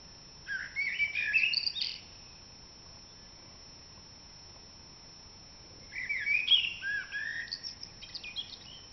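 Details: Common blackbird in an April dawn chorus: two separate mellow warbled phrases, each about one and a half seconds long and ending in higher twittery notes, divided by roughly four seconds of quiet.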